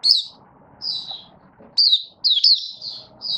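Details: High, thin chirping phrases, some slurred and downward, come in quick spurts from a caged Malaysian Mata Puteh (Oriental white-eye) being built into form, its 'buka sing' opening song recorded 1 August 2023; low murmur underneath.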